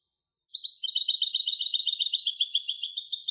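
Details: A European goldfinch hybrid starts with a short chirp, then pours out a long, fast, even run of high twittering notes at a steady pace, uninterrupted by other sounds.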